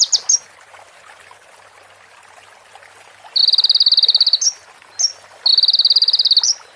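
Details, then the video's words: Sunbird song recorded for training other birds, with stated prinia and bar-winged prinia phrases: a quiet pause after opening flicks, then two rattling high trills each closing in an upward twist, one isolated sharp note between them. "MASTERAN KONIN FULL ISIAN PRENJAK BETINA SAMBUNG CIBLEK BREN JERNIH JEDA ORIGINAL DARI SUARA KONIN"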